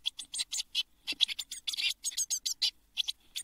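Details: Eurasian blue tit chicks in a nest box shortly before fledging, June 2022: quick sequence of raspy high chirps, several per second, with a brief low thump among them.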